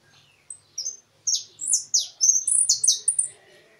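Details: European goldfinch song in the field-competition style with a closing phrase: a quick run of high, thin twittering notes that builds into dense, bright, chirping bursts near the end.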